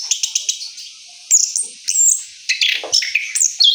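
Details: Orange-headed thrush after moult: a few quick clicks, a short pause, then high whistled phrases and rasping notes in rolling bursts.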